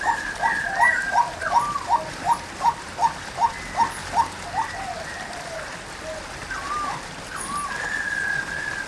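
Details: Female White-breasted waterhen calling: a rapid run of about eleven short, sharp notes, roughly three each second, building and then giving way to softer, slurred calls over a steady background hiss.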